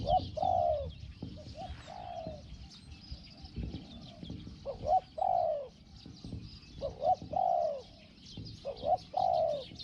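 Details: Decoy spotted dove with a small 'hong hong' voice, luring a wild bird. Clear, loud coo phrases recur every few seconds, paired short hoots then a sliding-down coo, over quiet chirping in the background.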